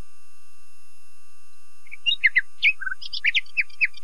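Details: After silence, a common nightingale sings a short jumbled phrase of sharp chirps, a buzzy note and a low trill, then several spaced, twanging notes.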